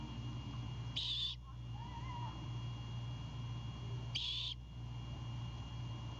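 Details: A Great Horned Owl owlet at its nest in Savannah, Georgia, at 21:36 on 26 March 2022, going on the defensive as its father brings a bird: two harsh, breathy hisses about three seconds apart, each under half a second, over a low hum.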